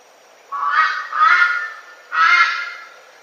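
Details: Red-billed Brush-turkey, a bird much more often heard than seen, giving its loud, raucous three-note call. Two harsh, honking notes come close together, the first slightly lower, then a clear gap before the third note. No other sounds.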